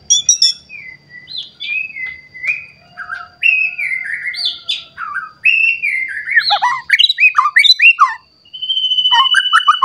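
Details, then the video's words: Agitated white-rumped shama searching for an opponent, delivering rich varied song: clear whistled phrases sliding up and down, rich warbles, sharp high accents and a closing series of rapid notes, with a faint steady high tone throughout. "Pancingan Murai Batu Emosi Mencari Lawan Bikin Murai Lain Langsung Emosi Bongkar Isian"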